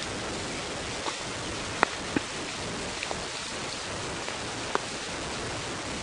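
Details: Steady rain hissing on the surface during a morning safari drive, with a few sharp drips and knocks and no animal calls.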